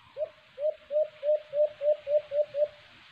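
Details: Nine low, rounded coos from a white-eared brown dove (alimokon), delivered in a steady train at roughly three per second during a cage-trap hunting attempt, over a soft hiss.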